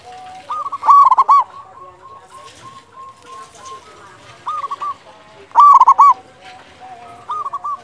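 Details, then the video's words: Local loud Zebra dove, a lure to trigger singing in quiet birds, delivers two strong rippling coo bursts with softer overlapping coos from other doves throughout. "Perkutut lokal gacor suara besar cocok untuk pancingan burung perkutut agar bunyi"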